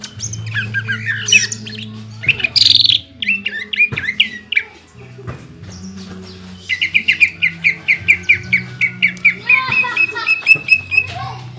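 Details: Greater green leafbird pouring out varied, mimicry-rich song meant to provoke rival leafbirds: mixed chirps and warbles give way to a long, even train of quick, clipped notes, over a continuous low hum.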